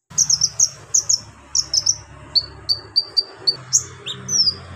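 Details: Mimicry-laden song of a Javan magpie-robin with lovebird, golden grasshopper and cricket imitations, used to tutor other birds: rapid high piercing chips in clusters, then steady clipped notes and a falling slurred whistle, over a soft low hum.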